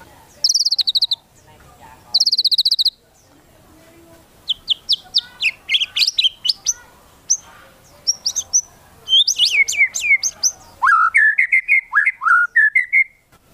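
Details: White-rumped shama song meant to provoke other shamas to sing: two high buzzy trills open, then a rapid run of varied sharp whistles and chips, ending with a lower series of slurred, looping whistled notes.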